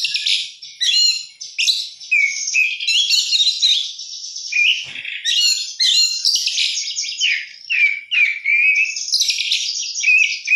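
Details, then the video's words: Oriental magpie-robin (kacer) in full 'gacor isian' song, packing dense, varied phrases of harsh chatter, rapid trills and high whistles, closing with sweet slurred whistled notes; no background noise. "kacer gacor isian mewah"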